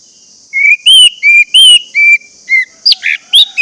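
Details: Lure recording of orange-headed thrush song meant to get silent birds singing: a run of rapid alternating clear whistles, then sharper twisting chirps near the end, with a steady high hiss behind.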